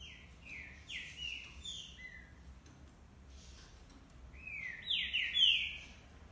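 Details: Several green-winged saltators singing: a run of loud, clear whistled notes sliding downward in quick succession, a pause, then another bright burst of slurred whistles rising and falling, over a faint low rumble.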